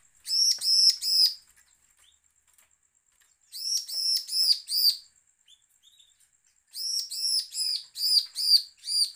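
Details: Bar-winged prinia giving a threatening call, recording used to provoke other prinias to sing; three bursts of four to six high, arched, ringing notes in quick series, separated by silent gaps of about two seconds.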